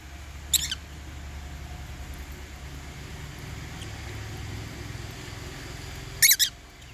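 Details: Caged African lovebirds at meal time, eating holy basil: two short, harsh, high chirps about six seconds apart, set against a steady low rumble.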